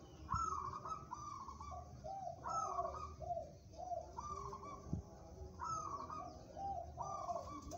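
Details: Local zebra dove said to be suitable for song competition: repeated cooing phrases, each opening on a higher note and stepping down through lower rolling coos, about every three seconds, over a low rumbling background and other coos.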